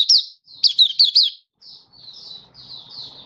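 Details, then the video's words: Warbling song of a Malaysian white-eye, Kitaro-style opening song, Singapore, warm sunny weather, 20 March 2023. Quick bursts of high twittering notes with short pauses, followed by softer, drawn-out high whistles. "Malaysian Mata Puteh Happy Buka Sing Kitaro"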